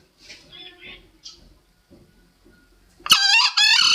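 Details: Lure recording of a green junglefowl: faint soft calls and rustling, then a sudden loud, raspy two-part crow that ends the clip, used to attract birds for trapping.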